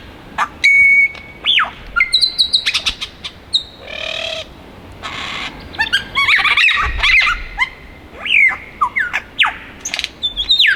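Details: A wild male superb lyrebird in the Dandenong Ranges, Melbourne, sings from the trees, a fast varied medley of pure whistles, downward swoops, rapid ticking, harsh buzzy phrases and loud rich warbling that switches style every second or so.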